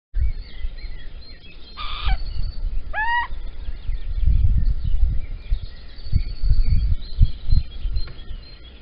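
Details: Little owl at Holten at dawn, 16 April 2020 around six in the morning, male arriving with a caterpillar while the female is away; one short harsh burst then a clear descending, curving call, over low rumbling background noise.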